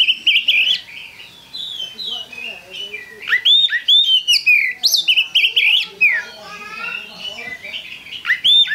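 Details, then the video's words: Oriental magpie-robin in vigorous lure song: a long, varied medley of whistles, quick chatters and sharply rising or falling notes, delivered in rapid bursts with brief gaps. "Pancingan Kacer Gacor"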